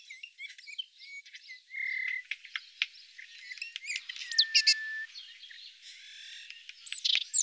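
Eurasian bullfinch giving soft, level piping whistles held for about half a second, mixed with quick high squeaks, twitters and chirps from other small birds.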